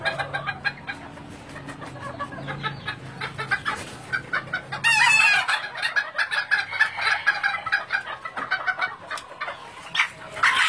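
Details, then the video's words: Flock of breeding Thai bantam chickens on a poultry farm in Vietnam; busy overlapping clucking with a loud harsh crow bursting in midway, many birds calling at once throughout. "gà tre thái sinh sản"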